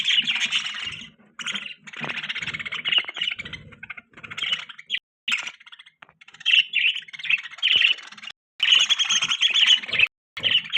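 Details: Budgerigar chirping almost without pause, repeated squeaky chatter phrases and bright tweets over nearly eleven seconds.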